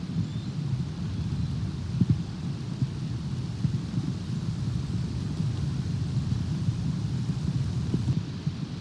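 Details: Low rumbling wind or traffic noise with a couple of dull knocks, and no animal sound.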